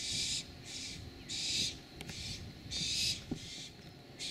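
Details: A barn owl family in San Rafael, California, before dawn on June 3, 2012. A barn owl gives harsh, breathy hissing screeches, each about half a second long and repeated roughly every second, over a low rumble.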